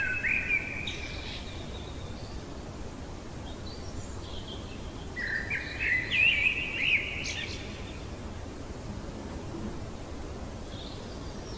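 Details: Common blackbird at night delivering a mellow whistled phrase at the start, a softer distant strophe in the middle, then a louder warbled burst, separated by pauses filled with steady low background noise.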